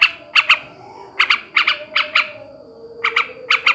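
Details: Male sooty-headed bulbul ngebrem ngekek call, used to raise breeding drive: sparse pairs of harsh, scratchy notes separated by short pauses, with a quiet steady hum in the background.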